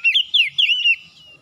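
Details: Oriental magpie-robin morning song, used to coax other birds into singing. A brief burst of four quick loud slurred whistles, rising and falling, trails off into quiet.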